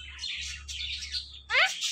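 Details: Talking parrot producing hoarse breathy chatter, then a sudden loud harmonic yelp sweeping sharply upward, over a steady low hum.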